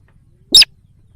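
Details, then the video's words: One short grating squeal in a sintar sawah lure recording for attracting wild birds, bright high overtones, faint low rumble in the background. "Suara pikat sintar sawah||sintar liar auto nyamperin"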